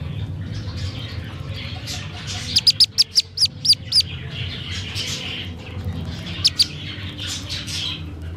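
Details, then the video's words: Black-bellied whistling duck (Dendrocygna autumnalis) chick, found at a roadside around 6:30 pm, gives a distress call: a rapid burst of about eight high, thin peeps, a pause, then two or three more, over a low hum. "llamado de auxilio de un pichón de pisingo o iguaza Común"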